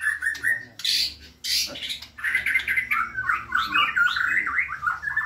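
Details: White-rumped shama in full, lively song, caged: harsh scratchy bursts early, then a rapid run of warbled, jumpy whistled notes that rise and fall; low background hum.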